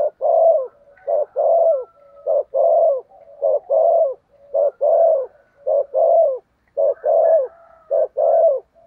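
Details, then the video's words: Decoy spotted dove cooing hard to lure wild doves: deep, soft coos grouped in short rhythmic phrases and repeated steadily, roughly one phrase every second, with a faint higher thin note now and then. "cu gáy thúc gù cực đỉnh kích bổi dợt mồi hiệu quả"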